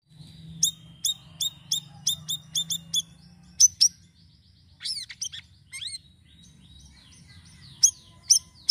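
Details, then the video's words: Sirisiri bird in lively varied song used as a lure for other birds: a long thin high whistle, then rapid sharp high chirps in quick series, followed by upslurred twittering notes and a few closing chirps. "GACOR UNTUK PANCINGAN BURUNG SIRISIRI DENGAN VARIASI SUARANYA"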